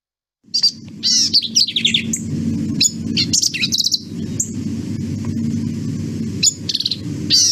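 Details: A Black-capped Vireo (Vireo atricapilla) sings rapid, emphatic bursts of short, sharp, nasal notes and phrases, high and tumbling, sometimes with a mewing sound, over a steady low hum.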